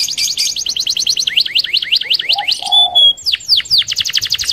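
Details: Canary singing a rolling song meant to lure other canaries: fast high trill, then repeated rising swept notes, a steady pure whistle and more quick trilled phrases.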